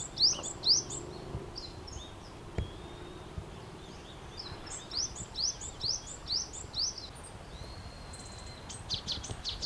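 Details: Brown-eared bulbuls calling noisily while feeding on nectar in a blooming cherry tree; bursts of sharp, rising, high-pitched chirps in quick runs, a pause mid-recording, then another rapid series and a thin sustained whistle.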